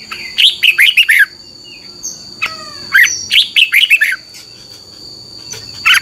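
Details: Red-whiskered bulbul song for training caged birds to copy: repeated phrases of bright, descending chirped notes, with a shorter call between phrases and a constant high tone in the background.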